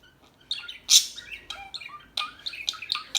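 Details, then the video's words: Bright high twittering from small birds, with one strong shrill chirp early on, then mixed short tweets and trilled notes. "صوت العصافير الهادئة Bird sounds"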